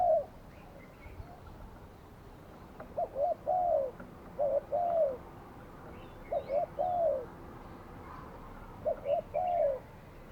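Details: Spotted dove used as a decoy bird for trapping, recorded on a Saturday; soft cooing phrases of two short notes and a longer falling croon, repeated every few seconds with quiet gaps, faint chirps of other birds behind.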